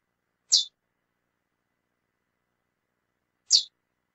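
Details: Female lesser seed finch calling: two sharp, very high, buzzy chips about three seconds apart, with silence between.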